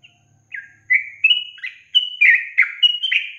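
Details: Yellow-vented bulbul delivering a short burst of long-trill song, a few soft notes building into loud, clear, rising whistles and liquid chirps in rapid succession.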